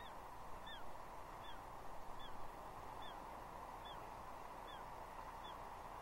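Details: Begging juvenile female bald eagle at Two Harbors, Catalina Island, 30 June 2021, wanting fish from her father: a regular string of eight thin, high squeals, each sliding down, about every 0.7 seconds over continuous broadband hiss.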